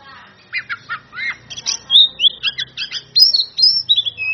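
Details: Oriental magpie-robin, a caged singer, calling out rivals with a loud varied song: rough buzzy bursts, sharp upslurred whistles and quick stuttered notes, faint low hum beneath.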